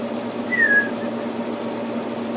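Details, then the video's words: An emu chick calls from inside its egg: a single short, clear whistled peep that slides downward, over a steady low indoor hum. "Emu Egg Chirping"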